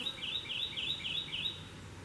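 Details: Male Kentucky warbler (Geothlypis formosa) singing in forest: a rich, rolling run of two-note phrases, about four quick repeats in two seconds, over a soft, steady background hiss.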